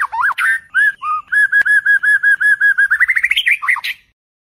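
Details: Night song of a White-rumped shama, used to train competition birds: varied whistled swoops, then a fast run of identical whistled notes that speeds up and climbs in pitch before ending abruptly.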